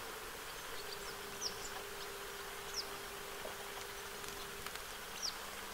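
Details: Western yellow wagtail family bathing at the shore of Lake Hornborgasjön, Sweden, on 15 August 2023: three short, high, thin downslurred call notes spaced over several seconds, faint above steady broadband background noise and a low hum.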